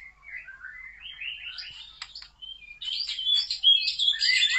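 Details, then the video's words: Murai batu (white-rumped shama) song that builds from soft descending whistles into a loud, dense stretch of high rapid notes and bright chirps. "Murai Batu LANGSUNG GACOR dan NGEPLONG"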